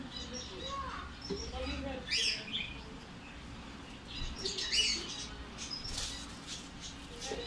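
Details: Lovebird chick begging while being hand-fed. Scratchy, high chirping bursts come at irregular moments, loudest near two seconds and again around five and six seconds, over low background hum and faint household noise.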